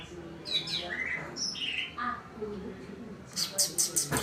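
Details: Greater green leafbird grumbling because it suddenly clouded over, giving a busy string of short whistles, slurred notes and chips at shifting pitches, ending in a rapid burst of harsh high chatter.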